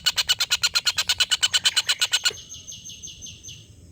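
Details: Collared kingfisher tutor recording for competition birds: a long laughing call of loud, harsh kek notes repeated about three per second, ending abruptly, followed by faint high, thin notes from another bird.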